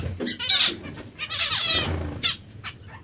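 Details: A few drawn-out, buzzy nasal calls from zebra finches in breeding pairs, each lasting around half a second, with quieter short chips between them and a low hum underneath.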